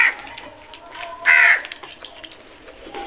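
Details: A single strong, hoarse crow caw rings out amid low background noise, with a fainter call at the very start.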